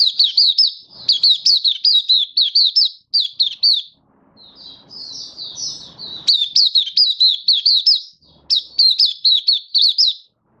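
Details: Long open buka singing from a caged Malaysian white-eye, Singapore, sunny warm day, 20 March 2023: repeated bursts of thin, rapid, down-slurred chirps, a softer quieter stretch midway, then renewed vigorous twittering.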